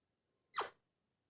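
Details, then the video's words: Alexandrine parakeet giving a single short harsh squawk, about a quarter second long, bright and rasping with a brief downward slide, in a quiet indoor room. "Sweet Voice of Alexandrine Parrot"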